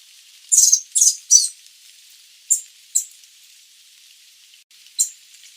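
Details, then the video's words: Sooty babbler, Stachyris herberti, singing three rapid, loud, high squeaky notes in quick succession, followed by single sharp chirps spaced about half a second to two seconds apart, with a faint hissing background. "Tiếng chim Khướu Đá Mun - Sooty Babbler, Stachyris herberti [Bird Sound]"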